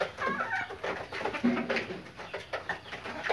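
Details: Pakistani Fayoumi laying hens cluck and chatter in short, overlapping bursts, several birds calling at once in an enclosed space.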